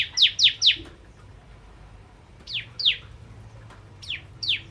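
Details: Bar-winged prinia singing vigorously: sharp, high descending chip notes in a quick run of three, a pause, then pairs of similar downward slurs, over faint low background hum.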